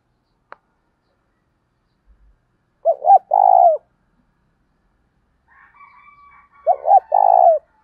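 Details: Spotted dove cooing to provoke rivals and draw other doves into answering. Two loud low phrases, each a couple of short notes then a longer throaty coo, about four seconds apart. A faint higher whistled tone sounds in between.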